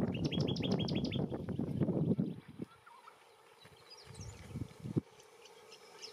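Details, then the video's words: Little friarbird calling while feeding in a bottlebrush tree: a quick burst of short, upward-flicked chirps for about two seconds over a low rumble, then a few scattered, quieter notes. "STRANGE CALL Little Friarbird calling and feeding in Bottlebrush tree"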